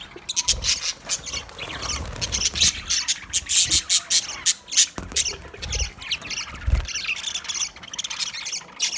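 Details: Green budgies calling together; dense, harsh squawks and buzzy chatter run almost without pause, with occasional low thumps beneath.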